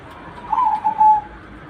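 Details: Zebra dove (perkutut) with a single clear cooing phrase: a quick bright opening, a short break, then a steady sustained coo fading out, against faint low hum.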